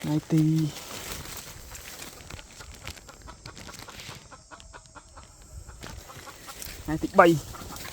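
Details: Wild red junglefowl, said to have a big, hoarse voice, recorded 3 May 2025: a short low harmonic call opens, a second rising, hoarse call near the end, with faint background hiss between.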